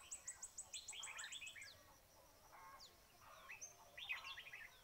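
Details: A trapping setting for red-whiskered bulbuls opens with a fast run of a dozen high ticking notes. Lively chattering, bubbly calls follow, with pauses, and a burst of quick notes closes it.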